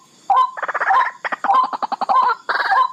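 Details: Barred rail (tikling) calling in three loud bursts, each a rapid harsh rattle that ends in a short slurred note, separated by short gaps.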